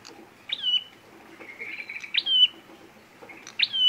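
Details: Fighting call of the prenjak merah, played to lure birds into traps: a low buzzy warble followed by loud rising chips that flatten into piercing whistles, repeated several times.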